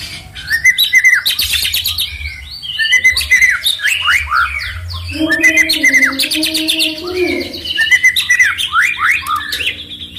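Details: Songbird singing loudly to provoke rival birds: busy chattering phrases of sharp chips and slurred whistles, broken by a lower drawn-out whistled note midway, then more rapid varied notes, over faint low hum.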